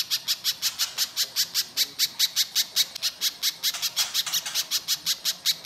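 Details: Little spiderhunter lure song with a rough, harsh tone: a rapid, steady string of loud, high chipping notes with no pause.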